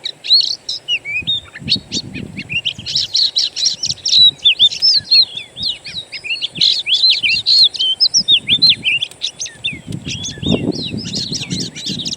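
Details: Wild-recorded Oriental magpie-robin singing, used to lure a caged bird into song: continuous high, varied song of whistled slurs, chirps and quick trills, with brief low background noise between phrases.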